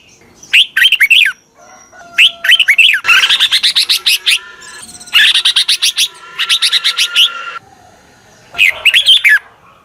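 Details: Decoy red-whiskered bulbul calling to draw wild bulbuls in quickly: short bursts of bright warbled, rising-falling notes, then long rapid runs of harsh chattering pulses, repeated in loud bursts separated by short pauses.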